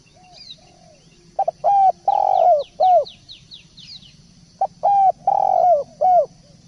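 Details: Spotted dove singing, recorded for birds to learn from: rounded coos in two groups of four or five, the middle note long and drawn out, with thin high chirps from another bird between them.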